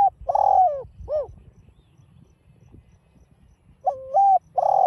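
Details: Spotted dove call, field-mixed voice, used to provoke a caged bird into cooing. Mellow low phrases with a long gliding coo ending in a short arched note, a quiet gap, then the next phrase begins.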